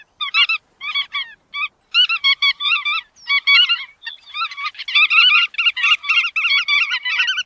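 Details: Short nasal bar-tailed godwit notes in clipped bursts with gaps. They build into a steady overlapping chatter of wavering calls in the second half.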